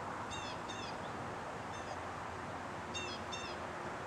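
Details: Hawk at its nest near Marshall, North Carolina; short high stacked squealing notes in paired bursts, a pair near the start, a faint one midway, another pair near the end, over steady broadband noise.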